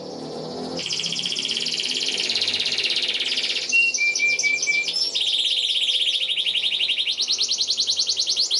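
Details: Long energetic canary song meant as a master recording for young canaries learning to sing; dense high trill, a short run of clear whistled notes, then rapid rolling chirps repeated several times per second.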